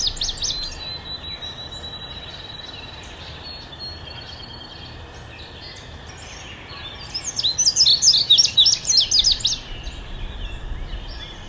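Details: Indigo bunting: a brief high phrase at the start, a long quiet gap with low background hum, then a loud rapid series of high sharp notes near the end.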